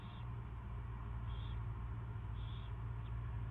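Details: Owl at first feeding, 24 February 2016, early afternoon: three breathy high screeches, each a quarter second long, spaced about a second apart, with a loud continuous low hum underneath.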